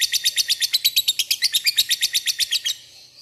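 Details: Lovebird chattering ngekek-style as a lure that rivals answer: fast, regular shrill pulses, roughly seven per second, lasting under three seconds before stopping abruptly.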